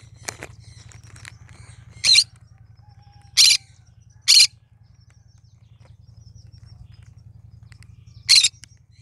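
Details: Cinnamon green-cheeked conure singing: four short, harsh, rasping screeches spaced irregularly across the recording, with a few faint clicks early on and a steady low electrical hum underneath.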